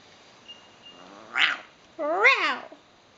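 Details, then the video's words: A pet male Eclectus parrot mimics speech: a short breathy syllable, then a longer wavering, nasal phrase that dips and rises, over quiet room background. "eclectus parrot talking"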